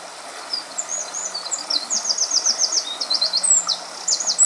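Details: A Eurasian wren sings by the River Weil near Weilmünster in winter 2013/2014: a rapid, very high, scratchy run of notes swelling into fast rattling trills, over a steady hiss of flowing water.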